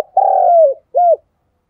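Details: Spotted dove used as a decoy, its cooing meant to prompt reluctant doves to call during rain: a sustained low hooted note that dips at its end, followed after a gap by a short rounded coo.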